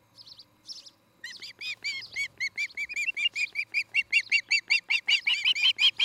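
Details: An osprey at a nest in Charlo, Montana, on an evening in mid-August 2018, gives a fast series of sharp, high whistled chirps, nearly three per second, growing louder and more insistent, after two brief thin notes.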